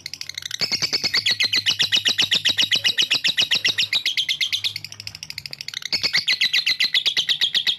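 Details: Lovebird in a long ngekek trill aimed at rival birds, starting after a brief pause, a rapid high buzzy chatter that softens for a moment and then resumes strongly.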